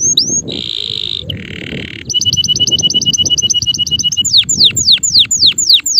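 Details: Male canary sings a short whistle and buzzy notes, then a fast series of clipped double chirps and finally steep descending whistled sweeps, against noticeable low background noise.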